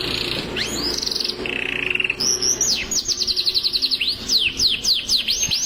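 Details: Canary in long-duration song: a rising whistle and a buzzy trill, then a lower flat rattling trill, before rapid high rattles and a string of sharp downward-curving whistled notes.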